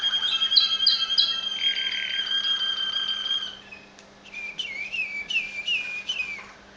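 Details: Waterslager Malinois canary song recorded in Veliko Gradiste, Serbia: pure, ringing whistled tones with overtones, several short repeated notes, a brief softer pause, then clipped, rising chirped phrases in quick succession over a faint steady hum.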